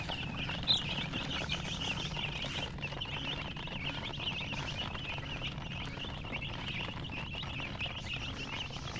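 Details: Chicks peeping in a group, their thin high chirps fairly faint and blurred together behind a constant low rumbling background noise.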